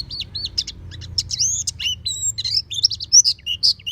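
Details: Oriental white-eye kept at home, singing with beak wide open: a busy run of high, thin chirps and quick warbled notes, growing louder toward the end over a faint low hum.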